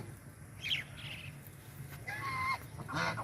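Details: Angry white domestic geese protecting their territory give short, harsh nasal honks and squawks in a few bursts over three seconds, over a low rumble of background noise.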